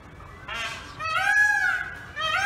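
A peacock gives loud, nasal wailing calls: a short harsh note, then a long ringing cry that rises and falls, and the start of another.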